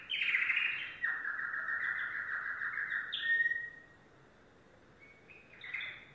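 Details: Yellow domestic canary singing a loud rolling trill that shifts pitch in steps, then a pause and a few quieter high chirped notes.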